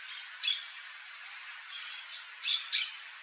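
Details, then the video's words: Yellow-chevroned parakeet, Brotogeris chiriri, uttering a run of shrill screechy notes: one early burst, a softer call mid-way, then two loud squawks close together near the end. "CANTO do PERIQUITO-DE ENCONTRO AMARELO (BROTOGERIS CHIRIRI), YELLOW-CHEVRONED PARAKEET."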